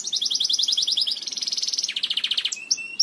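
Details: A Belgian canary sings to teach canaries: a quick bouncing series of bright notes runs into a dense high trill, then drops to a lower rattling roll before closing chirps.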